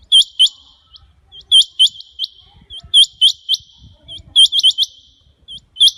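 Rain Quail giving sharp, high metallic double notes, often paired, repeated in quick bursts roughly every half second with brief pauses; faint low rumbling underneath.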